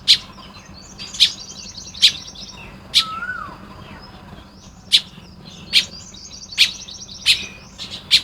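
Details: Morning recording of baya weavers building nests in Lopburi, Thailand, 1 May 2026: clicking chips about seventy times a minute, bursts of rapid high chatter, and a single downslurred whistle from another bird.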